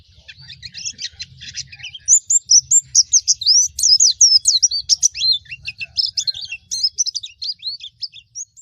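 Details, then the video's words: Pleci Baduy white-eye song: a fast, continuous jumble of high, sharp chirps and slurred whistles, rising in intensity after a softer start, with a low background hum. "Suara Pleci Baduy"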